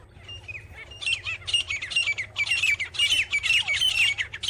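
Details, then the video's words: Grey francolin (gora teetar) giving a run of loud, harsh, squawking notes. The notes come roughly twice a second, begin softly and build to dense overlapping repeats, over a faint low background hum. "grey Francolin sound"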